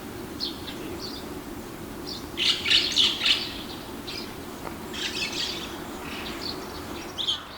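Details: Early morning, 9 May 2020: a single male red-billed starling perches on a riverside apartment wall in Hiroshima's Naka ward, among many white-cheeked starlings. Fainter squeaky notes lead to a loud rasping burst, then scattered chatter and background hum.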